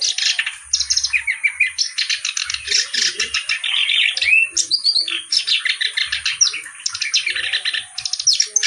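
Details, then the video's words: Clamorous reed warbler singing nonstop with good melodic variation. Loud, dense, scratchy chatter mixes with squeaky whistled twists, delivered in rapid pulses throughout. "BURUNG KERAK BASI GACOR CENGKOK LAGUNYA OK"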